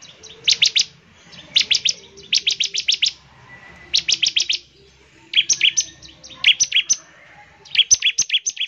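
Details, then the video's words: Rapid 'nembak ngebren' song of a bar-winged prinia, played to get other prinias singing: quick volleys of piercing high chips, four or five per burst, separated by brief gaps, with a softer thin whistle between. "CIBLEK GACOR, NEMBAK NGEBREN UNTUK MEMANGGIL CIBLEK CEPAT BUNYI GACOR"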